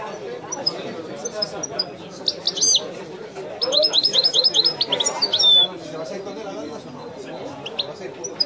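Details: European goldfinch singing in the authentic Wedani style: high twittering notes, then a bright burst of rapid, repeated chirps and trills midway, over steady background chatter of people talking.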